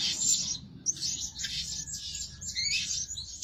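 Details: High, piercing chirps of a Blue-crowned hanging parrot used as a decoy to lure birds and said to call day and night, delivered in quick unbroken strings after a brief pause.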